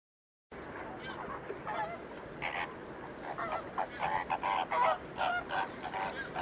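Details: Greater flamingos at the Ludo saltpans in Portugal: a flock giving overlapping goose-like honking calls, nasal and repeated irregularly, growing louder and denser toward the end, over a steady background hiss.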